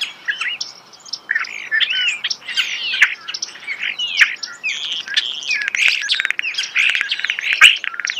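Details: Continuous starling song recorded close in nature, packed with rasping chatter, clicks and rising and falling whistles with hardly a pause.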